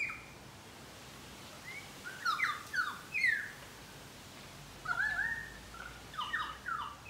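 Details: In a Brisbane garden, pied currawongs give clear downward-sweeping whistles, several in quick succession after a quiet gap, then another run of overlapping falling notes.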